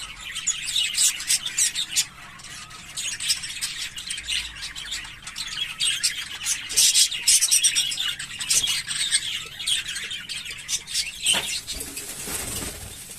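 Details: Long continuous warbling from English Fallow budgerigars, visual and carrier birds: dense, buzzy, high chattering with clicks, chirps and scratchy trills rising and falling in loudness, ending in a harsh hissing burst.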